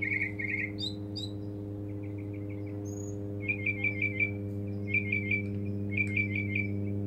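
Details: Mockingbird singing in a back yard while seeking a mate: short repeated phrases of quick chirps, each figure given several times before switching, over a steady low mechanical hum.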